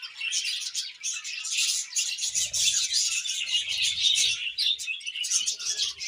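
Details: Budgies chirping loudly and continuously, a busy mix of high scratchy warbles, squeaks and twitters, with brief low rustling or movement noises midway.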